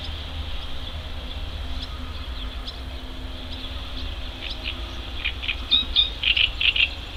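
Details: Young mallards on a river in May, swimming about and foraging; scattered thin peeps early, then louder, rapid high cheeping bursts near the end, with steady background hiss and low hum.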